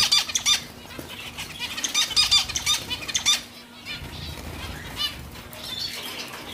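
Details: Zebra finch calling in quick runs of short, nasal, trumpet-like beeps, dense at first, then thinning to a few scattered notes against soft background hiss.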